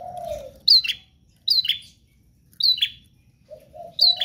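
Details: Prinia singing in lively 'gacor' style: short bursts of sharp, high chirps with a quick downward slur, repeated about every second; a faint lower warbling sound is heard at the start and end.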